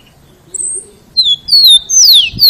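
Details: Rufous-collared sparrow singing loudly so other sparrows learn the song: a thin, very high drawn-out whistle, then a rising sequence of clear whistled notes that slide downward, growing louder toward the end.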